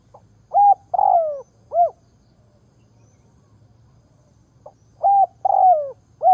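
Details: A decoy spotted dove repeats its cooing phrase twice, roughly four seconds apart, to lure wild birds. Each phrase runs short note, long downward coo, short arched note over a faint low hum.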